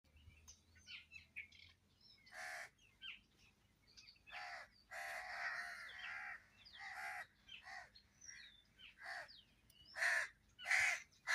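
Crows give harsh, hoarse caws in loud bursts about a second apart, over thin high chirps and twitters from smaller birds.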